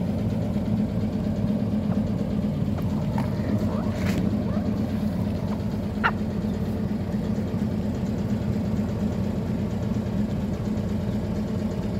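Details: A steady low engine rumble, like an idling vehicle, runs throughout with a couple of faint clicks and no animal calls.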